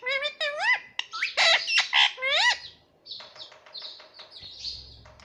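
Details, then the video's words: Young pet green parrot calling in a rapid series of rising, harmonic squawks and harsh chattering notes, tapering into quieter raspy sounds. "Baby Parrot Voice _ 🦜☺️🥰 _ Parrot voice _ parrot sound"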